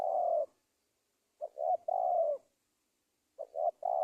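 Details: Indonesian spotted dove cooing, played as a lure to attract wild doves for trapping: a drawn-out falling coo, a pause, then two quick notes and a longer purr, the phrase starting again at the end.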